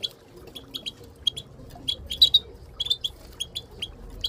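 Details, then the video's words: Moroccan goldfinch group calls, including a female, used to encourage silent birds to sing: tinkling high chirps, single and in quick doubled or tripled bunches, louder near the middle, faint hum behind. "ترويض طيور الحسون بتبتات المقنين لتحفيز المقنين بتبت حسون للتدريب"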